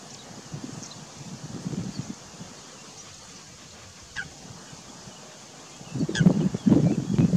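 Northern shoveler giving low, hollow, clucking notes in two short bursts, quieter at first and stronger at the end. A faint higher chirp sounds briefly between them.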